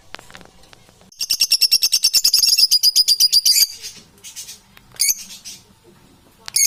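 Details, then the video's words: Domestic parrots giving a fast, evenly pulsed chatter of high, grating notes lasting over two seconds, followed by a few shorter shrill squawks in a quiet room. "Unbalanced domestic Parrots"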